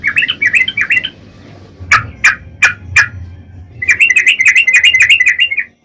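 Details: Sooty-headed bulbul singing a long continuous song, used as a lure to make other bulbuls answer: bursts of quick bubbly chirps, a pause with a few sharp separate notes, then a fast chattering run, over a low hum.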